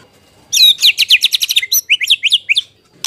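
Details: White-rumped shama song to provoke other birds: a rapid sequence of sharp, descending high notes, then several clear upslurred whistles in quick succession.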